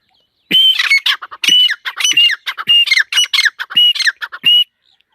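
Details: Female partridge (teetar) calling: loud, harsh squawking bursts, each with a bright whistled note and a falling tail, in about six rapid phrases over four seconds in a quiet setting.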